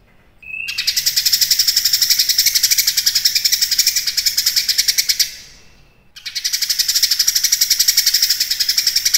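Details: Active cucak kinoi singing for use as tutor material for contest songbirds: a short clear whistle, then long bursts of rasping high pulses about four per second, a pause near the middle, then a second burst.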